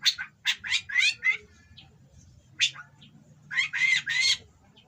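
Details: Oriental magpie-robin in breeding condition delivering coarse song material to rile rival birds: a quick run of five rasping notes, a single scratchy call after a pause, then three loud grating notes run together.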